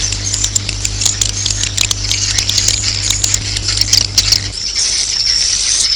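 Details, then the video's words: Swiftlets calling to roost: rapid dry clicks and sharp high chirps over a thin twittering wash; a low steady hum runs through most of it, then stops near the end as thin high twittering continues. "Suara Walet Inap"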